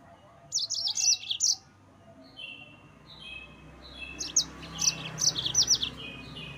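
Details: Rival-provoking song of a yellow-fronted canary: high sharp trilled phrases with descending slurred notes, a pause, then lower sustained whistles leading into another rapid high-pitched trill sequence.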